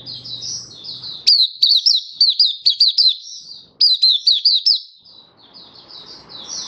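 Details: Oriental white-eye (Mata Puteh) kept for the bird hobby, singing happy 'buka' on 24 February 2023. Soft high warbling gives way to two loud bursts of quick slurred chirps, then quiet warbles return.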